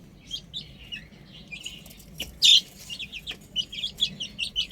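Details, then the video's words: Chicks playing on a roof, peeping in scattered short high notes that thicken toward the end, with one loud harsh burst near the middle. "Adorable Chicks Chirping Sounds | Amazing Baby Hen Playing On Roof"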